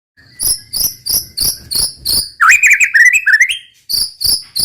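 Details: White-rumped shama (murai batu) singing in the roll tembak style: a run of sharp, evenly spaced chipping notes about three per second, broken midway by a fast rolling whistled warble, then the chips resume.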